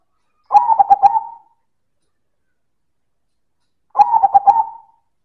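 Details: Silver zebra dove (perkutut) in loud manggung song: two cooing phrases about three and a half seconds apart, each made of staccato throaty notes that run into a longer, level final coo.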